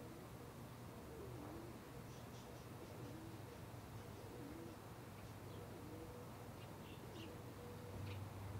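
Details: Brown pigeon cooing: soft, low, rising-and-falling coos repeated several times over a steady hum of background noise, with faint higher chirps from other small birds.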